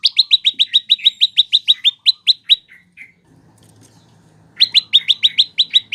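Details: Fast trilling series of bright chirps from a prinia (prenjak lumut or lancur), used for training cage birds, about four notes a second, breaking off for a gap before a second rapid burst.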